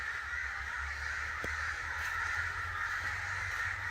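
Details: Angry crows massed together, a steady raucous stream of rough caws with one sharp click partway through and a low hum beneath.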